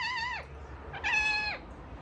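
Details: Ringneck parakeet kept as a pet, making weird sounds: two wavering nasal meow-like calls, each ending in a downward slide, the second longer, separated by a short pause in a quiet room.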